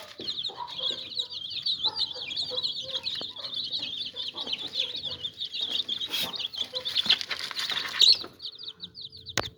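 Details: Many chicks keep up a steady stream of shrill, rapid peeps. Brief louder bursts and knocking sounds occur near the end, before a short quiet moment.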